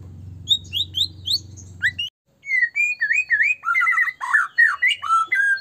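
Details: Lure song of a white-rumped shama, meant to provoke other shamas into singing: high slurred whistles over a low hum, a brief pause, then a richer stream of varied, swooping whistled notes.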